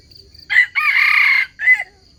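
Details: Red junglefowl crow used as a lure to trap wild chickens: a short harsh opening note, then a sustained strained middle section and a clipped final note, all within about a second and a half, quiet background.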